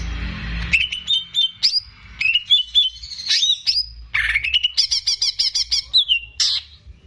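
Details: Caged greater green leafbird song used to tutor young birds: bright whistled phrases and fast repeated chirps, with a run of evenly spaced notes near the end, after a brief low noise at the start.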